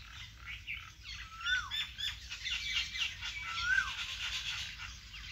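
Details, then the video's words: Birds singing in a vegetable garden: a dense background of high chirps and twitters, with two clear, loud whistled notes that slide downward, about two seconds apart. "vegetable Garden and natural bird sound"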